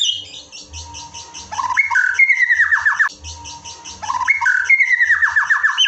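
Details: White-rumped shama (murai batu) evening masteran song: a phrase of rising whistles falling into a cascade of quick descending notes, repeated twice, with a faint high rattling chatter throughout.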